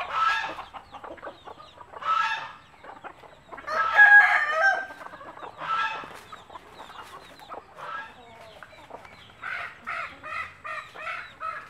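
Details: Mother hen of a native country breed with her chicks, calling them to food and picking up bits to show them; bursts of clucking, then a fast, even run of short clucks repeated about every quarter second near the end.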